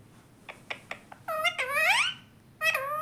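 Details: Pet talking parrot indoors: a few soft clicks, then drawn-out, cat-like mewing notes that rise and fall, ending with a further short mew.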